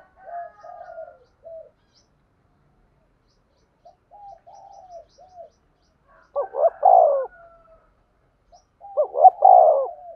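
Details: Lure-calling spotted dove for trapping: faint soft broken cooing at first, then two strong low phrases near the end, each a stuttered double coo ending in a long rough descending note.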